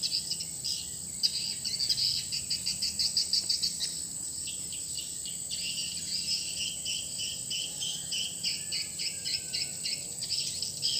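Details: Swiftlet house lure sound, just changed to a new call: strings of rapid, evenly pulsed high chirps, about three a second, fading into softer twittering, with a steady high whine behind.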